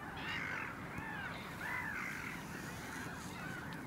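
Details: Caspian gull, one individual, 9 March 2016, giving harsh, nasal, arched calls, three spaced over about four seconds, over a steady background hiss.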